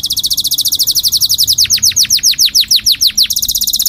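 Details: Canary singing to teach chicks and help females get ready for breeding: a rapid high trill shifts into a series of quick downward-sweeping whistled notes, then returns to a fast rolling trill.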